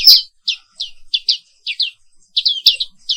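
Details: Morning song of a black-capped white-eye, the Indonesian Papua pleci 'wiklus': short, bright, high chirps in separated pairs and triplets over near silence.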